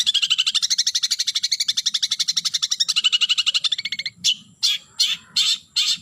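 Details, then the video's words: Long-tailed shrike calling a rival, starting with a fast, even, rattling chatter of rapid notes lasting about four seconds, then four loud harsh buzzy bursts spaced about half a second apart. "Suara Burung Cendet Memanggil Lawan"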